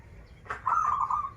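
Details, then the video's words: Local zebra dove from Banten giving a single brief phrase: a sharp opening note, then a run of fast rolling coos that stays level and fades. "Perkutut lokal gacoran suara krital, warung kebek, dan suara aneh"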